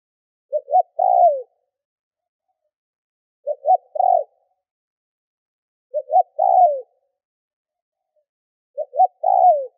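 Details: Spotted dove used as a lure bird, cooing to stir up wild birds; four identical phrases about every three seconds, each two brief clipped notes followed by a drawn-out descending coo, with clean silence between.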